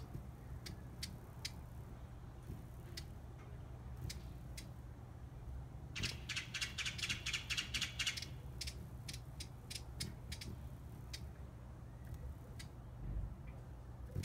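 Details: Broad-billed hummingbird (Cynanthus latirostris) at Monterrey, Nuevo León, Mexico, on 2016-03-20 gives dry, scratchy, irregularly spaced ticks with a quick chattering run in the middle, over a low steady hum.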